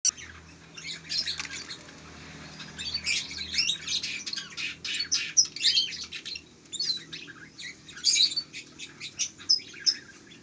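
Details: Local canary chick, one month old, producing a mix of sharp high chirps and brief twittering notes, with a faint low hum early on.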